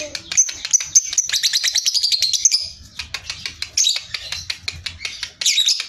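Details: Sooty-headed bulbul singing in ngekek style with close pauses, used as master song for contest birds: a shrill, rapid chattering run, a brief lull of clicking notes, then renewed high, squeaky bursts.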